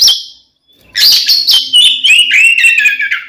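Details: Provoking fight song of an Oriental magpie-robin: a brief high whistle, a gap, then a dense run of loud scratchy notes sliding into falling whistled tones, with a faint low hum beneath.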